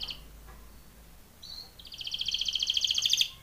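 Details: Belgian canary singing a training song: after faint, quiet notes and a short whistle, a bright high trill of quickly repeated notes builds in loudness over the last second and a half.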